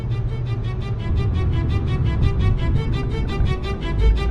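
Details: Background music with bowed strings over a deep pulsing low rhythm, loud and steady, and no animal calls audible.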